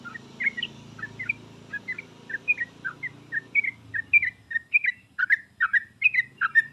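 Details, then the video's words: Lure recording of a sooty-headed bulbul for prompting a reluctant singer: short liquid chirps repeated at a brisk, even pace throughout, over a steady low background hum. "pancingan dan masteran trucuk paling cepat di sambar trucuk malas/susah bunyi langsung nyaut"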